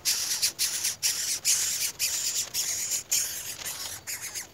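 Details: Greater coucal (Centropus sinensis) chick in the nest gives harsh, hissing rasps in short bursts, about two a second, high and breathy with brief gaps.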